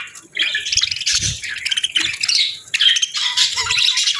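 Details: Pet parakeets feed on a winter morning and chatter steadily. Dense, buzzy warbling and quick chirps overlap in uneven bursts, broken by short gaps, with faint low knocks underneath.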